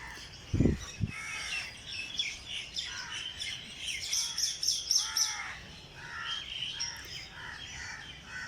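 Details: Morning chorus in Jilani Park, Lahore: many small birds give dense, high chirps and rapid twittering trills, after two low knocks at the start.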